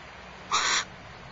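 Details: At Starr Ranch, a barn owl pair trading food back and forth: one gives a single harsh, hissing screech of about a third of a second, broad and noisy rather than tuneful, against quiet background hiss.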